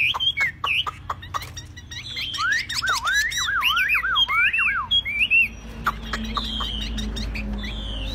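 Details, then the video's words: Caged Chinese hwamei, so tame it sings on a table or in the hand, delivering looping, wavering whistles that swoop up and down in fast succession, then scattered higher phrases over a steady low background hum. "Đặt bàn sách tay đặt đâu cũng hót"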